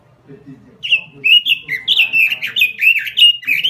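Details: Energetic robin lure song: after a quiet opening, dense, loud, fast warbled whistles sweep up and down without pause for nearly three seconds.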